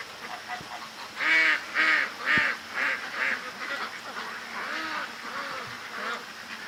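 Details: Domestic ducks in their pen give loud, harsh quacks at about two per second, then softer chattering quacks, in rain around 4 a.m. on September 8th; the ducks were louder minutes earlier, active in the rain.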